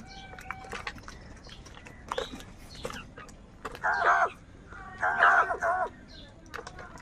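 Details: Many crows searching for food in the morning; two loud, harsh, drawn-out caws stand out, each about half a second, among scattered fainter calls and clicks in the background.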